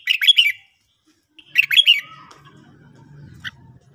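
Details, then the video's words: Red-whiskered bulbul in the morning, giving two quick bubbly whistled phrases about a second and a half apart, followed by a low murmuring background and a single short chip. "luyện chào mào hót buổi sáng"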